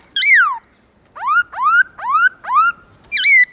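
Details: Morning song of a black-throated laughingthrush in the forest-voice style. A loud falling whistle is followed, after a pause, by four upslurred, rich notes spaced about half a second apart, then a final looping note.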